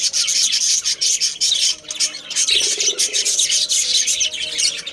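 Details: Budgerigars in a breeding colony: bright, scratchy chirping and squawking in uneven pulses, many birds overlapping, with a faint low rustle partway through.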